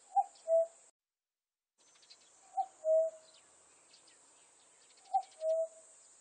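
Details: Common cuckoo uttering three two-note cu-coo phrases, each a quick high note sliding down to a longer low note. There is a short dropout of silence near the start, and faint chirping fills the gaps.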